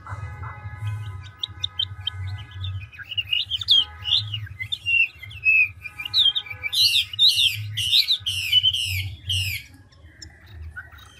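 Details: Large old wild-caught Chinese hwamei singing with rapid, continual switching of phrases: sweet whistled slurs rising and falling, then a loud run of six buzzy downward-sweeping notes, with faint low hum throughout.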